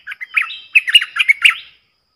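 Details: Wild streaked bulbul flock in a lure recording: a short burst of bubbly, slurred chirps and warbled notes, quickly delivered, then silence.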